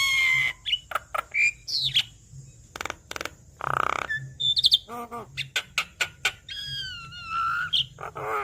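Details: Javan myna in full continuous song with many fill phrases, played to coax a reluctant bird into singing; rapid mix of clear whistles, harsh rasping bursts and sharp clicks, with a long sliding whistle near the end over low hum.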